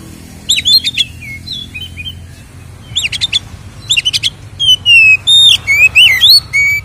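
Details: White-rumped shama, lure song for provoking captive birds; bursts of dry rapid chips at first, then clear sustained whistled notes rising and falling, loud at the end.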